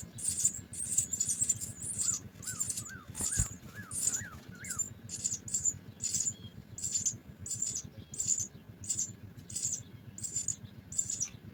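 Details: Fed house sparrow nestlings cheeping: dense high hissy bursts at first, then evenly spaced every half second; a brief series of rising whistled notes sounds midway, with low hum throughout.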